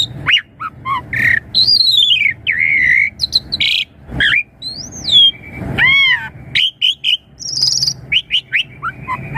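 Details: Asian pied starling song used as a lure to get young birds answering quickly: varied loud whistles, rising and falling slurs, harsh squawks and chatter in rapid bursts with short pauses.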